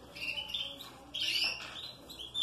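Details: Song of a canary in a breeding room while a bird is held for treatment: sustained high whistled tones that rise in steps, then a louder burst of thin, warbling notes fading into a steady whistle.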